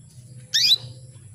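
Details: Female canary calling to excite males into mating condition; one brief, shrill, squeaky chirp over a faint low hum.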